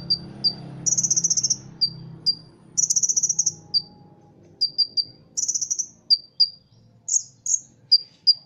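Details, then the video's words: High-pitched song of a caged Ruby-cheeked sunbird trained for Indonesian competitions, laced with imitated cricket, kapas tembak and cililin sounds. Crisp chips and ticking alternate with repeated fast buzzy cricket-style trills in a fairly quiet setting. "Kolibri Ninja Gacor Isian Jangkrik Kapas Tembak Cililin"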